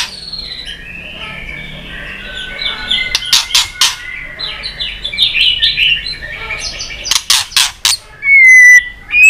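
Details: White-rumped shama, a three-season bird, in fighting song: soft high whistled phrases at first, then sharp clicking bursts and a loud clear rising whistle near the end.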